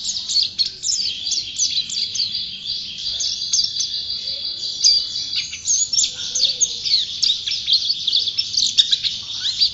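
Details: A constantly singing champion white-eye delivers nearly ten seconds of shrill, rapid warbling. Brief steady whistled tones are woven among the fast chattering notes.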